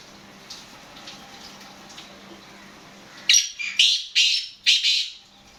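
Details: Black francolin, known locally as kala teetar, calling: three seconds of quiet hum, then four rapid harsh, rasping notes about half a second apart.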